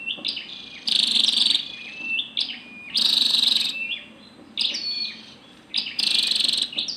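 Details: Female scarlet-backed flowerpecker uttering harsh buzzy bursts between sliding and stepped high notes, repeated irregularly, over a quiet low hum.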